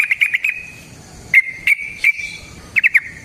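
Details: ["Yellow-vented bulbul (trucukan) singing long 'ropel' phrases meant to lure other birds into singing: a quick bubbly cluster of notes, a long sustained tone, then sharp single chips and another fast cluster."]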